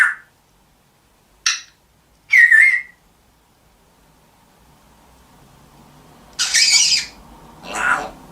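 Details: African grey parrot calling in scattered bursts: a brief whistle, a short harsh note, a rising whistled phrase, then after a pause two loud raspy squawks over faint low background hum.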